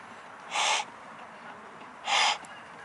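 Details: Mute swans at Neuer Teich, Dresden, on 12 January 2018 at 23:40: two harsh breathy snorting bursts about one and a half seconds apart over a steady background hiss.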